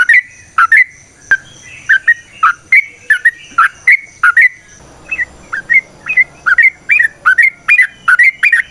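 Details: Wild-sounding ropel panjang song of a Sooty-headed bulbul (trucukan), used as a lure: a long steady series of bubbly whistled doublets, with faint background hiss in the second half.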